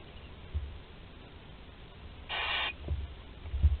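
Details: Thirteen-day-old barn owl chick at a webcam nest in Théding, France, 20 July 2020, swallowing whole prey; one short rasping hiss amid faint low thumps and rustling.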